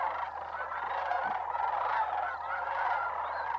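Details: Migrating sandhill cranes in December at Bosque del Apache Wildlife Refuge, New Mexico: a dense, continuous chorus of overlapping honking calls from a large flock, blending into one steady wash of sound.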